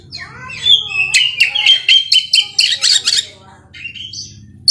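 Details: Kacer, the Oriental magpie-robin, in full gacor song with ngerol rolling and nembak shooting notes: dense run of rapid sharp chips and bright whistles, about four per second, rising glissandi at the start, fading to softer whistles.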